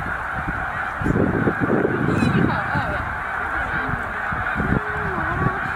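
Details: Massed snow geese, a flock of about 100,000 stopping at Middle Creek wildlife refuge on northward migration to breeding grounds; a constant roar of overlapping honks with clearer rising and falling nasal calls, plus low rumbling bursts from the crowd.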